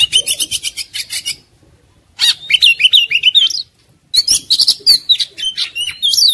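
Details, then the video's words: White-rumped shama, agitated and fighting, giving three dense bursts of rapid chattering and whistled notes separated by short silences. "KACER NGAMUK | KACER NGOTOT | KACER NGOBRA | KACER BUKA EKOR | KACER TARUNG"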